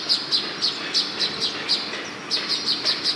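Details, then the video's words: In front of a house in Hyderabad, Baya weavers give rapid high-pitched chirps, short and clipped, about four per second, pausing briefly midway before resuming in an even series. "Babui Pakhir Kicher Micher II Barir samne II Hyderabad II Baya weaver Birds"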